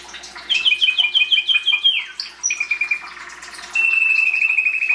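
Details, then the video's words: Canary singing: a rapid repeated rattling trill, a brief swooping note, a pulsed trill, and a steady high sustained trill to the end. "Canary singing"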